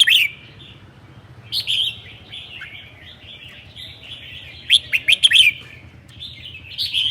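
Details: On a cold day in Sơn La, Vietnam, a red-whiskered bulbul sings 'ché'. Short, loud clusters of bubbly, whistled notes come at irregular gaps, with the strongest rapid run of chirps about two-thirds through. Low background hum.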